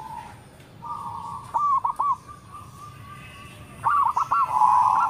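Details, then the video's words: Local zebra dove with a large voice: a sustained coo, then a few quick notes, a pause, and a second phrase of short rapid notes ending in a rolled coo, over faint background hiss. "PERKUTUT LOKAL SUARA BESAR NADA RAPAT MANTAB"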